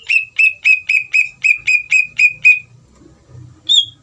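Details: Lively greater green leafbird song, played to stir another leafbird into answering: nine evenly spaced clear whistles with a falling slur, then a short pause and one higher whistle over a faint low hum.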